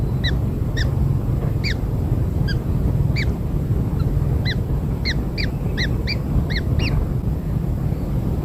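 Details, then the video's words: Freshly hatched kingfisher nestlings fed with black insects call in bright, arching squeaks, sparse at first and then coming about twice a second, over a steady low hum. "Anak Burung Tengkek Baru Lahir Diberi Makan Serangga Hitam - Kingfisher Newborns Fed Black Insects"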